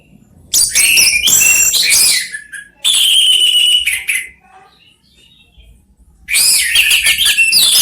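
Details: Three orange-headed thrushes in Indonesia trading song: loud scratchy, chattering phrases mixed with whistled notes in three long bursts, separated by near-quiet pauses with faint high notes.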